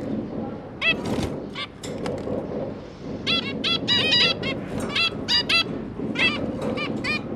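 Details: Two zebra finch parents and three new juveniles on 5 September 2022, parents busy feeding; quick nasal honks in short groups, some overlapping, over a constant murmur of low background noise.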